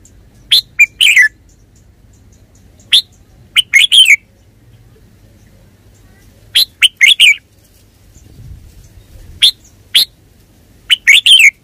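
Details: Red-whiskered bulbul singing repeated short phrases of sharp, bright chirps in groups of three or four, spaced a few seconds apart, with a brief rustle midway.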